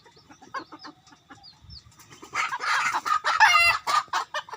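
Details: Decoy cock starting with soft clucks and faint high chirps, then bursting into a loud, rough crow over about a second and a half, ending in several sharp clucks.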